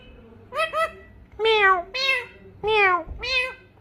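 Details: Parrot imitating a cat's meow: six nasal, harmonic mews, two short quick ones followed by four longer, slightly arched meows spaced about half a second apart, with no other clear sounds.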